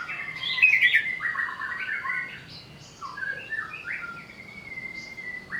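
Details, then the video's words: Greater green leafbird provoked to sing while agitated: a tumbling run of varied whistled and chirped notes, jumping between pitches, then softer scattered notes and a long thin whistle. "pancingan burung cucak ijo agar bunyi sambil emosi"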